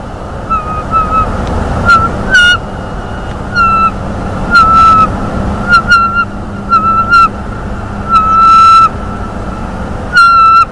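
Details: Bald eagle at a nest camera in North East Florida, 13 February 2021, about 9:12 am, squealing in delight as the male delivers a mammal as prey. Thin, piercing squeals with steady pitch come in short bursts, about a dozen across ten seconds, over a low background hum.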